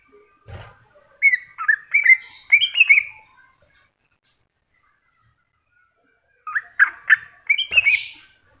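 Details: Cucak hijau, the greater green leafbird, in masteran song: a rapid string of slurred, looping whistles, a long silence, then a second burst ending in harsher, buzzy high notes.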